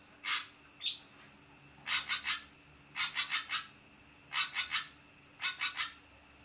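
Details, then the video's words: Ashy drongo giving rough, scratchy notes in tight clusters of two to four, repeated roughly every second or so, with one short higher whistle near the start. Quiet background with a low steady hum. "SUARA KHAS BURUNG SRIGUNTING ABU-ABU"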